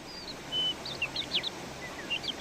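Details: Birdsong in a natural outdoor setting: a high drawn-out whistle and a flat steady note, then a run of quick chirped and slurred notes, all over a faint constant hiss.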